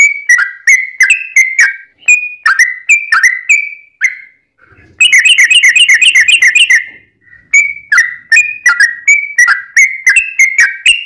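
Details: Sooty-headed bulbul singing a long rolling song meant to prompt other bulbuls to answer: rapid clear whistled notes dropping in pitch, broken by a dense buzzy chattering burst of about two seconds, then more whistles.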